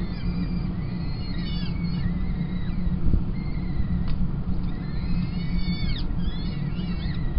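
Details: Peregrine falcon nestlings at Kingston College on 28 April 2021, fed by the female after the tiercel. Dense overlapping thin piping notes rise and fall in two clusters, one early and one late, over a heavy low rumble.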